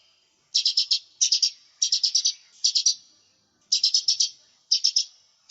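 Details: Lesser green leafbird, lure-sound recording for training birds: short buzzy bursts of three to four rapid, harsh notes, repeated about every half second to second with brief gaps between bursts. Nothing else audible.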